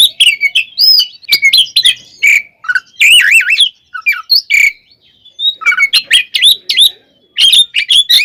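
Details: Oriental magpie-robin (kacer) singing a fighting ngeplong song meant to make rival birds agitated: varied rich whistles, fast warbling trills and wavering notes, harsh chips between phrases, loud and near, in bursts split by brief silences.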